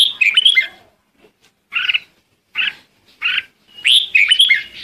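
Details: Red-whiskered bulbul summoning its flock: a rich warbled phrase, three evenly spaced, clipped chirps, then a closing burst of bright, tumbling notes.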